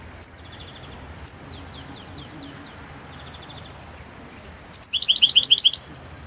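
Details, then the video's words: Balkan subspecies of European goldfinch, Carduelis carduelis balcanica, singing for the 2022 World Championship in Goldfinch Song: two isolated sharp high chirps, then a fast even series of about eight ringing twittered notes. "Pesma štiglića 006/22 World Championship in Goldfinch Song"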